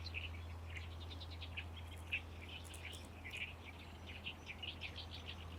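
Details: Great reed warbler in full song in a Lake Biwa reed colony in May, one of several singing birds; rapid, raspy, repeated chattering phrases, with a steady low background hum throughout.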